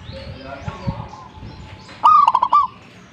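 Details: Zebra dove singing vigorously: after a faint low murmur of background sound, one coo phrase begins with a rising slurred note and runs into three or four quick bubbling notes, then quiet returns.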